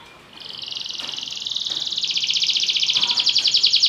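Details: Belgian canary song: a buzzy, rapid rattle that starts softly and swells in loudness and pitch into a dense, shimmering high trill.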